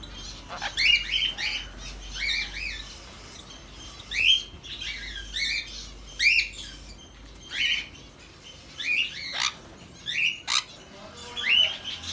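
Sun conures give harsh, grating squawks in short bursts, repeated every second or two.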